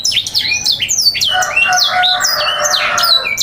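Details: Canary song for tutoring young canaries and luring them into singing, sanger-style material: rapid sweeping whistles and chirps that run into a dense, buzzy, rolling trill with layered notes, sung indoors.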